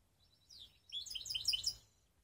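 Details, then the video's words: From Skopje, a mixed-breed canary gives a short slurred note and then a quick, loud burst of tumbling high chirps that fades out after about a second. "Canary mixed best song"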